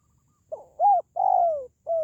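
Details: Spotted dove coo phrase used to boost pet doves or lure wild birds: a quick soft note, an arched coo, a long gently falling coo, and a final short descending coo, with no other sounds.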